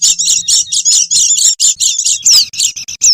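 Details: Oriental white-eye lure calls: loud, high chirp bursts in a quick rhythm, ending with two clear downward-sliding whistles, over low background thumps.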